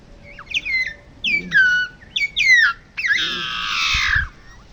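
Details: Long-tailed meadowlark in Río Gallegos, Santa Cruz, southern Patagonia, Argentina, singing three quick sets of clear downslurred whistles, then finishing with a long harsh, wheezy buzz; faint low rumble behind.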